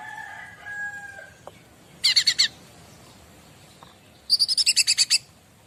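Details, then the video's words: Bar-winged prinia master song meant to prompt responses from other birds: faint low tonal notes at first, then two bursts of quick high chips, the second a longer, evenly repeated series of about ten notes. "Burung Apapun Pasti Nyaut Masteran Cica Ranting"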